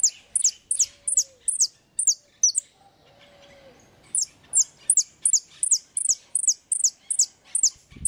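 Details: European goldfinch singing in the repique style: high, sharp notes sweeping downward, repeated in quick series of about three per second, with a short pause mid-phrase and a faint low whistle in the gap.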